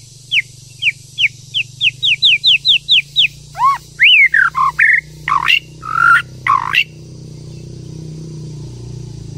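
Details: White-rumped shama, a female urging a male to sing: a run of about a dozen quick downslurred whistles, then looping whistled notes and harsh, grating buzzy calls, ending in a low hum.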